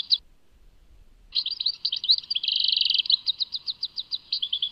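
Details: European goldfinch in song, Tadmait: a single chirp, a pause, then a lively twittering phrase with a dense buzzy trill in the middle that slows into separate evenly spaced high notes.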